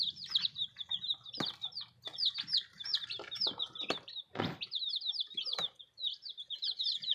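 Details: Newly arrived baby chicks peeping in a group, a constant chorus of high, thin downslurred cheeps overlapping one another, mixed with rustling, bumping and handling noises.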